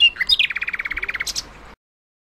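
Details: Russian nightingale (thrush nightingale) song phrase: a brief high whistle leads into an even, fast rattle of roughly fifteen knocking pulses, ending in two shrill high notes before silence.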